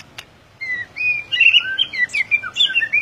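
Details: White-rumped shama in full gacor ngeplong song, a short pause followed by a fast run of clear whistles, slurred up and down, with twittering flourishes that keep going to the end.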